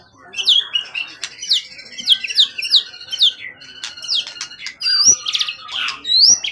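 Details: Competition bird of wild origin, tail 20 cm up, long kept and not jumpy, singing in peak form: a series of repeated sharp downslurred whistles about every half second, then varied high slurs and clicks.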